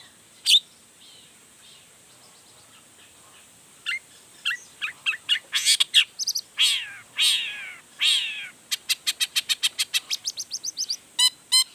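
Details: Long-tailed shrike performing a mimicry-rich song to provoke other shrikes into calling: scattered notes at first, then harsh buzzy bursts and slurred sweeps, ending in a long, fast, even run of sharp ticking notes.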